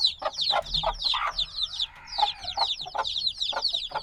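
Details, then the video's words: Black baby chicks hatched a few days ago, still needing warmth from the mother, peep noisily as a group: dense high, downward-slurred chirps overlapping constantly, with occasional lower broadband clicks and a faint low hum. "Baby Chicks Sounds - Baby Chicken Chirping Noises"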